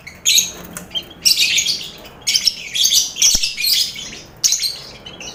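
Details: Noisy lovebird colony housed with finch and quail, a training sound for contest birds: sharp bursts of high, rasping chatter separated by short pauses, with scattered thin chirps.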